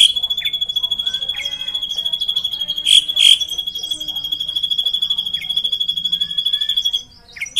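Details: Drongo singing energetically in a long rolling song: a sustained, high, evenly pulsing trill held for about seven seconds at a nearly steady pitch, broken by two harsh rasping bursts near the middle and ending in brief squeaks.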